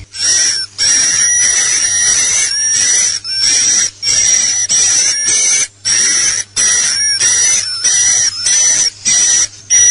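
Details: Call for attracting swiftlets, LIUR 77 style: high, harsh, buzzy phrases about a second long, each with a thin whistled tone inside, repeated with brief pauses over a faint low hum.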